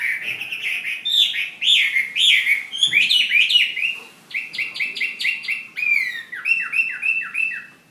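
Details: Chinese hwamei, fighting bird from Hà Giang, sings rich varied whistles, then a series of sharp repeated notes in even rhythm, then downward-sliding slurred whistles.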